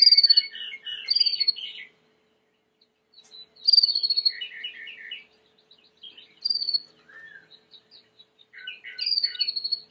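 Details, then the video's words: Timbrado canary, white canary, singing for training: separate bursts of chirping phrases with bright descending whistles, divided by short silences. "Chant de Canari timbrado / the wonderful sounds of canary bird chirping / canario timbrado cantando"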